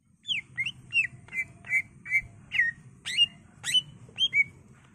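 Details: Greater green leafbird (cucak ijo) in full, energetic song, used as a lure and master for training birds: loud, clear whistled notes that sweep sharply down, about ten varied phrases in quick succession over a low steady background hum.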